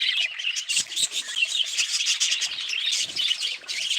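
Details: Budgerigars in a dense, continuous chorus of high chirps and scratchy warbling, overlapping twitters with brief louder squawks and no pauses.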